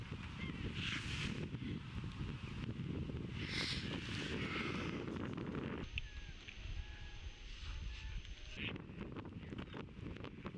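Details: Caspian terns during courtship at Montrose Beach, Chicago, on 22 April 2024, catching fish, offering them to potential mates and mating; two harsh, raspy bursts of calling near the start and middle, under heavy wind rumble.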